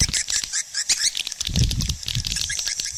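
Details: Swiftlet; call; attracting swiftlets to nesting houses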